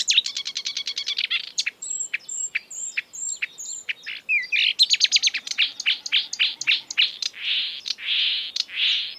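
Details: Marsh warbler singing exuberantly, a species that imitates European and African birds. Fast dry chattering series give way to high, thin whistled notes, then sharp rapid clicks and a run of harsh, buzzy bursts, all high-pitched and delivered without pause.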